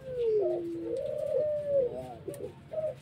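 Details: Pelung-type collared dove cooing in the whimpering pelog style: a low tone gliding down and holding steady, followed by wavering, bending coo notes and short closing phrases, recorded indoors with faint background hum.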